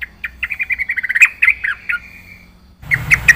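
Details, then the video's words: Yellow-vented bulbul singing vigorously in full-isian style. It gives a quick chain of rolling, evenly spaced notes that swell into a louder slurred phrase, then a pause, then a few more bright notes over a low rumble. "burung trucukan gacor full isian"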